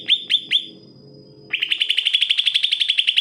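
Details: Greater green leafbird in full song as a tutor for reluctant singers: three loud descending whistles, a short lull with a thin sustained tone, then a quick, even series of ringing clipped notes.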